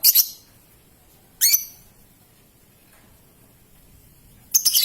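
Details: Lovebird, young (paud) bird, played as a lure to draw long ngekek and ngetik trills from other lovebirds; three short, shrill, harsh chirps, one at the start, one near 1.5 seconds and one at the end, over a quiet background.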